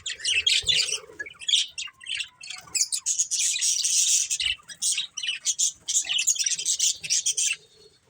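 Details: Chattering budgerigars from a breeding pair, a busy stream of harsh, buzzy squawks and high chirps in quick irregular bursts for about seven seconds, with a soft low hum near the start.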